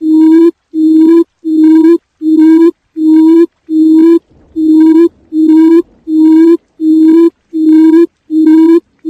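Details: Quail decoy call: a low, hollow hooting note repeated steadily about every three-quarters of a second, each note even in pitch, with no other sounds.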